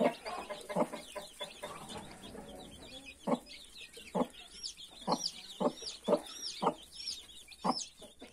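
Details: Hen with a brood of 31 newly hatched chicks. Low clucks come at irregular intervals, and the chicks give shrill, rising peeps that grow busier toward the end.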